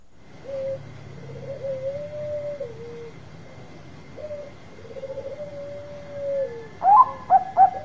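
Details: Bangkok-type zebra dove singing loudly, a song used to lure other doves into answering: long, low, even purring coos, then a sharp burst of three bright, rising, stuttered notes at the end.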